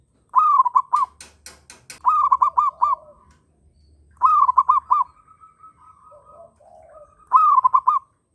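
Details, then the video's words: Local-type zebra dove in strong breeding condition, with other birds joining in. Four phrases of rapid, bubbling staccato coos at a steady mid pitch, about every two to three seconds. Sharp clicking bursts and a faint level whistle fill the gaps. "Perkutut Lokal Birahi Kenceng ‼ Burung Lain Ikutan Bunyi"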